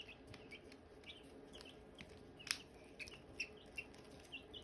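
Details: Hatching eggs and Silkie chicks chirping: short, thin peeps, some dipping and some rising, about one per second, mixed with a sharp tap or click near the middle.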